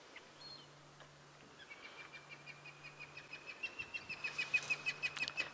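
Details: A pair of hornbills, a male and a female, call near lions on a sunset safari drive: clucking notes growing louder and faster, about three per second, over a steady low engine hum.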